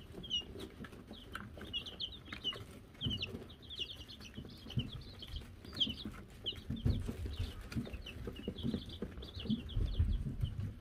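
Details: Baby Wyandotte chicks (silver laced, gold laced and gold laced blue) on a chick cam in May 2022 after being given a bell: a steady chorus of short, high peeps overlapping throughout, over low rumbling and thumping from movement.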